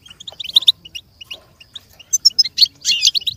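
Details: Goldfinch singing as a learning model for another goldfinch: sparse high chirps at first, building to a quick series of sharp notes and a final dense, buzzy twitter.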